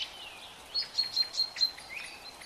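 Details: Bulbul chicks being fed by their mother give a rapid run of thin, high chips, about five in a second, over a faint steady hiss.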